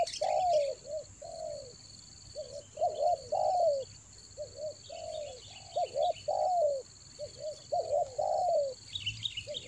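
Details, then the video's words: Spotted dove calling in the raja angguk lure style for the rainy season in Toba: loud, steady sequences of clipped double coos and longer falling coos, with brief bird chirps and a steady high hum. "TEKUKUR PIKAT RAJA ANGGUK"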